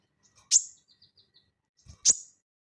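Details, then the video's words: Crested jay recorded as training audio for cage birds, singing in ngeleper style: two loud sharp high downslurred notes about one and a half seconds apart, with a soft faint twitter between. "SOGON GACOR NGELEPER UNTUK PANCINGAN BUNYI ATAU MASTERAN"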